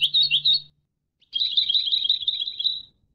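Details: European goldfinch educational song for training birds: a short twittering burst over a low hum, then a longer, dense trill of tinkling high notes that fades out.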